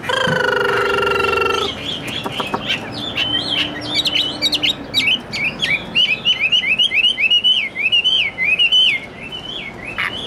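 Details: Caged, very tame Chinese hwamei singing: after a brief loud tonal burst with clapping, a long run of rapid, varied whistled phrases, looping up and down in repeated wavy notes, over steady background noise.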